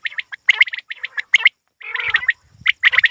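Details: Quail, called a hunting quail, uttering clustered high chirps in fast groups, interrupted midway by a longer harsher rasping note before the chirps resume.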